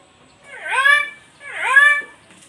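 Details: Nias hill myna giving two loud, nasal, harmonic calls about a second apart. Each call dips and then rises, with a rich, slightly wheezy tone and near silence around it.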